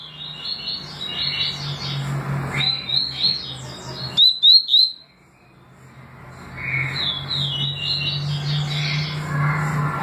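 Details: Double-collared seedeater, tui tui and deputado song styles: three fast, sharp whistled notes stand out briefly from busy chattering and a constant low hum.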